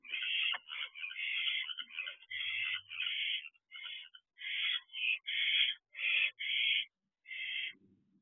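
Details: Barn owl in a nest box, an owlet about two months after hatching, recorded at 12:26 am on 6/2/23: a long run of harsh, hissing screeches, a dozen or so short rasping bursts with brief gaps and a faint low hum.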